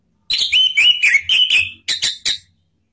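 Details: Orange-headed thrush song used as a lure to get rival birds singing openly: a string of loud whistled slurs and chirps, followed by three short sharp notes at the end.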